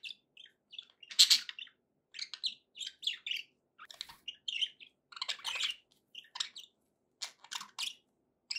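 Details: Budgerigars kept as pets give a busy, rapid stream of high twittering chirps and scratchy warbles, with loud clicky bursts and barely any pause between notes.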